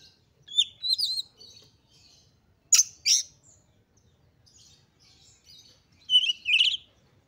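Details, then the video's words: Oriental magpie-robin in highly excited song, meant to provoke other magpie-robins into singing. Three short bursts of high, sharp, slurred whistles and chips, separated by quiet gaps. "KACER GACOR FULL EMOSI TINGGI// JOSS UNTUK MENDONGKRAK KACER LAIN AGAR CEPAT EMOSI DAN GACOR FIGHTER"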